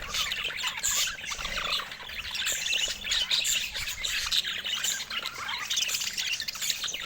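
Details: Budgerigars chattering continuously: dense, overlapping high chirps, squeaks and warbles with no pauses, busy throughout.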